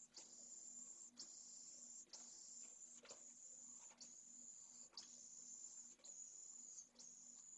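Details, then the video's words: Pallid swift chick in nest N1 of a school colony in Jerez de la Frontera, Spain, fed by its mother before fledging. Steady, very high hissing buzz in about eight bursts of roughly one second, with soft clicks between. "¡TREMENDA CEBA! - Vencejo pálido"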